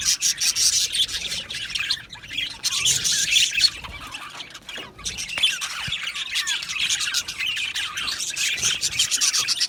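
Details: Budgerigar colony in an aviary, many birds chirping and squawking at once; loud high chatter that softens around the middle, then rises again toward the end.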